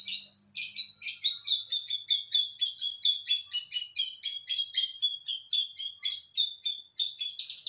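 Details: Long-tailed shrike singing persistently, a fast run of short buzzy chirps and scratchy notes, about two per second, in a continuous varied chatter with no other sounds.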